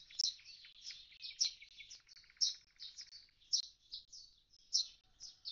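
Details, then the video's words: Common starling lingering by its empty nest box after the young flew off, pouring out quick squeaky warbles and whistles with soft rattling undertones, strongest about once a second. "Скворец - скучает у пустого скворечника. Улетели дети."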